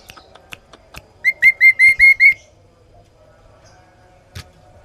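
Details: Sooty-headed bulbul giving a clear, loud series of six hooked, whistled notes, evenly spaced and level in pitch, preceded by faint ticking clicks, with a low background hum.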